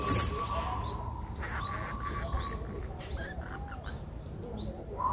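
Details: Nestling Streak-eared Bulbuls, five days old, Ubon Ratchathani, Thailand, on 7 April 2023: a series of thin, rising high-pitched squeaks repeated at short intervals, with a steady lower tone and soft background noise.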